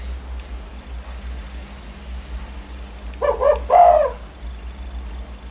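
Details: Spotted dove in full voice, said to stir other birds into calling: a short burst of three low, hollow cooing notes near the end, the last one longest, over a steady low hum.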